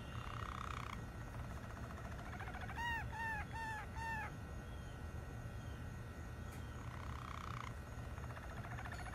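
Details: Malinois canary song with a soft roll, four evenly spaced mellow arched notes, then a fading rolling trill and another short roll, above a steady low hum.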